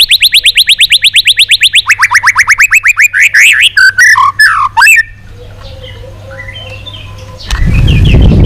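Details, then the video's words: White-rumped shama giving a long song, used in training to provoke other shamas: a fast run of about twenty identical upslurred notes, then quicker rising notes and varied whistles, followed by quiet and a sudden loud rushing noise. "Luyện giọng dây dài cho lửa.chòe lửa đập tạch kéo dây hay. ép giọng kích lửa hiệu quả.tạch đánh đuôi"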